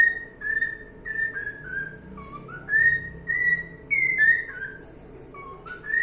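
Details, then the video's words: A cockatiel sings a run of ringing whistles, flat notes alternating with lower dips and rising glides, one phrase climbing higher near the middle, over a quiet low background hum. "calopsita cantando"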